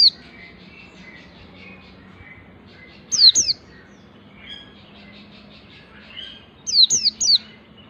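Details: White-eye singing in the wild ngalas style while learning the nembak delivery: two quick bursts of sharp, high, downward-slurred notes, a few seconds apart, over faint softer twittering.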